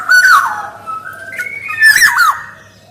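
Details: Black-naped oriole in vigorous song for luring and tutoring other orioles: a short fluty falling whistle, a steady level note, then a harsh burst with whistled swoops, all in about three seconds.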